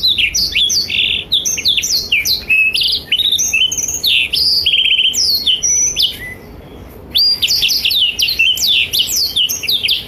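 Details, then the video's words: Blackthroat singing energetically as tutor song for juvenile and adult canaries: dense runs of quick slurred whistles and chirps, a buzzy trilled phrase, a quieter gap near six seconds, then another fast burst of bright notes. "Blackthroat Gacor Masteran Terbaik untuk Kenari Paud dan Dewasa"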